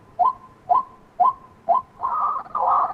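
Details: Repeated calls of a white-breasted waterhen: four sharp rising notes spaced about half a second apart, then two longer, rasping, grating notes run together, loud and close with little background noise.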